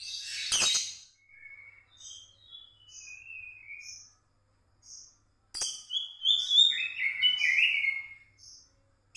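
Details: Night-time white-rumped shama song, a lure to get silent shamas singing: varied whistled notes and trills, high twittering phrases, with a couple of sharp clicks.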